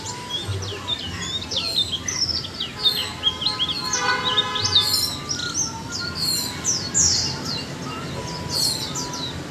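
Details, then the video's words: Caged Japanese white-eye, one month in its cage, singing a chattering 'líu choè' song: dense, rapid high twittering phrases of sharp whistled and slurred notes, nearly continuous, over a low steady background hum. "Khuyên cốm xanh 1 tháng lồng hót chuyện líu choè!"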